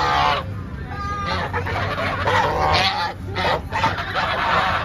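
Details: An angry goose gives loud, harsh honks in bursts separated by brief pauses, with a noisy background.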